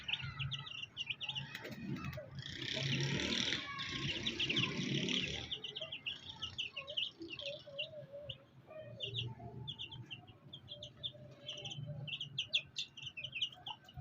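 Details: Fighter chicks with a black hen; high peeping runs through, masked for a few seconds by a loud broad rustling burst, then rapid peeps resume alongside low murmuring sounds.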